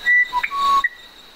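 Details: Two pure whistled notes from a musician wren, one higher then one lower and longer, followed by a brief high whistle, over faint steady hiss.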